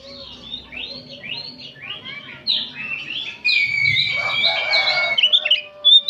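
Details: Many oriental magpie-robins singing in the afternoon for training; a string of short repeated whistled phrases, then a dense patch of loud overlapping song and a long sustained whistle.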